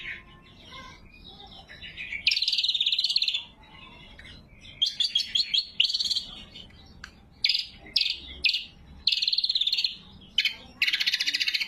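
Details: Energetic cucak kombo, greater green leafbird, singing for luring wild birds and training caged ones: a long buzzy trill, then a quick run of sharp clipped notes and more harsh rattling phrases.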